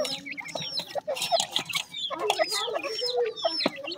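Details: Grey francolin chicks, also called teetar, calling in short high descending cheeps among lower clucks and scattered sharp taps.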